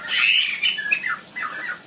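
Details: Aggressive black-winged myna in an Indonesian aviary. A loud, hoarse scream is followed by a few shorter, scratchy, descending squawks.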